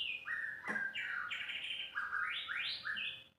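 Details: White-rumped shama delivering clear fluted whistles: long level notes and sharp upward-sweeping slurs, with one loud click partway through and a faint steady hum behind.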